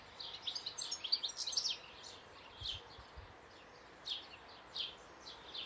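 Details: Singing European goldfinch: a fast run of high twittering notes for under two seconds, then isolated chirps spaced about a second apart, with a few low knocks in between.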